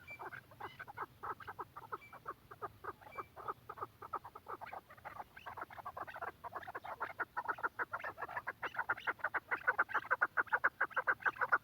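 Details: Quetta chukar partridge delivering a long, accelerating string of clucking chuck notes that grows louder and more insistent toward the end.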